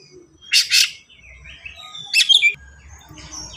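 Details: Oriental magpie-robin in rapid 'gacor speed rapat' song, used as a lure to make young birds sing: two harsh, loud bursts, then a thin whistled glide and a sharp trilled flourish, with a soft hum behind.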